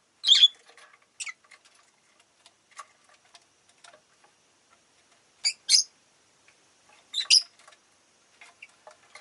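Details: Several pet rosy-faced lovebirds (Agapornis roseicollis) give sharp, shrill chirps and squeaks in short bursts a second or two apart, with soft clicks and scratchy sounds, amid city street noise.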